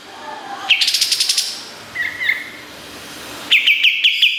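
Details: Kapas tembak bulbul in full, lively song on a master recording used to teach competition songbirds. A rapid series of bright, sharp notes rolls out, a short twittered phrase follows, then crisp repeated shots close the passage.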